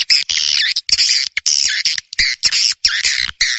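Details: Swiftlet lure call, a special New Year 2023 call sound: harsh, buzzy chirps in dense bursts, each lasting a fraction of a second with short gaps, high and broadband, no other sounds.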